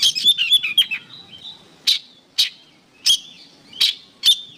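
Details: Oriental magpie-robin song for training songbirds: opens with a quick twittering burst and a drawn whistle, then loud single sharp notes spaced under a second apart.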